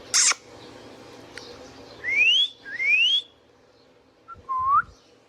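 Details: Captive Indian ringneck parakeet making one loud sharp squawk, then two long whistles that rise steadily, and a short lower upslurred note, over faint indoor hum.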